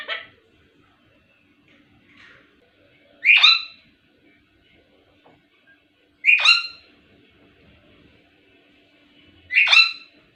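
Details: Pet ringneck parrot (miyan mithu): three short, harsh, high-pitched squawks about three seconds apart, with faint softer chirps in between and a low steady hum in the background.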